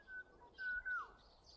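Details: ['Unidentified bird heard in early summer in a yard and village alley: clear whistled notes near the same pitch, a short one then two longer ones, the last sliding downward, over quiet background.']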